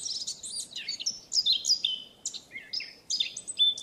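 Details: Fluty, hurried warbling from a wild Eurasian blackcap, high scratchy notes mixed with clear whistles in rapid succession, broken by brief gaps, with no other sounds.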